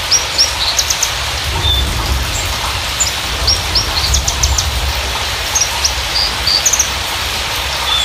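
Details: Javan bushlark (branjangan), parva type, lure song for stimulating untrained or silent birds to sing: high thin chirps and short sweeping whistles scattered throughout, with steady hissing noise and low rumble beneath.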